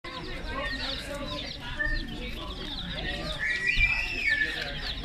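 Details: Day-old chicks peeping together, many high thin chirps overlapping continuously with one louder sweeping peep near the end; a low steady hum underneath.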